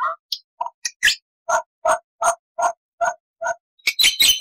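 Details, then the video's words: Black-winged starling full-fill master song, with a string of short, lower, hollow notes repeated about twice a second, opening with scattered chirps and ending in a burst of harsh, noisy chatter. "MASTERAN JALAK PUTIH GACOR FULL ISIAN"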